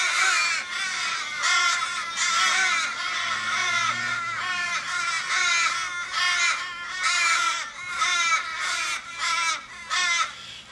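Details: Australian raven flock, over 15 birds, gathered around a fatally injured raven in a Sydney street, 1 July 2012; rapid series of short, harsh, drooping caws, about one a second, many birds calling together.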